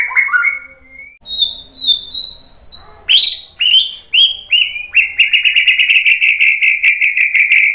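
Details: White-rumped shama song intended to make other shamas answer: varied whistled notes climbing in pitch, several sharp descending chips, then a fast buzzy trill held for nearly three seconds.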